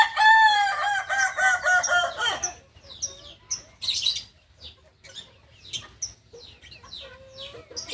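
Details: Kukuak balenggek, the singing chicken breed of Solok in West Sumatra, delivers a long crow of rapid stepped syllables for over two seconds, then quieter scattered clucks, clicks and short chirps fill the rest.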